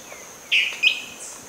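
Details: Dwarf tyrant-manakin (Tyranneutes stolzmanni) in Amazonian rainforest at Tambopata, Madre de Dios, Peru, gives a quick, high two-note call, a burry note then a sharper upslurred one, over a steady thin insect hiss.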